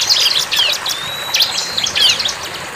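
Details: Bar-winged prinia in the wild: scattered high, sharp chirps and short twittering bursts, with one long level whistle near the middle and quieter pauses between phrases.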